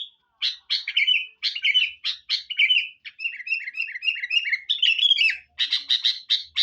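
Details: Sooty-headed bulbul used as a lure, calling busily: strong separate chirps, then a lilting series of short slurred whistles repeated in quick succession, finishing with loud emphatic chirps.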